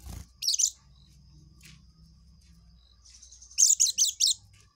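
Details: Oriental white-eye in ngekek song: a short shrill twittering burst, a pause with faint low hum, then a rapid run of four or five high, piercing chattered notes.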